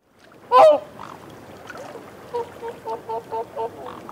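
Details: Whooper swan feeding on a bank, giving soft reassurance calls: one loud nasal honk early, then a quiet series of six short muffled honks about every quarter second, over steady low background noise.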